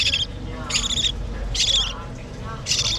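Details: Hand-fed budgerigar chicks beg with rasping, buzzy bursts, four in three seconds, each lasting under half a second, separated by quiet low background noise.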